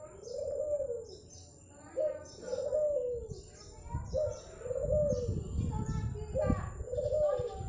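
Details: Zebra dove native to Madura, prized for a golden, melodious voice. It gives soft, arching coo notes in a steady series about every one and a half seconds. Low rumbling noise and faint voices run throughout.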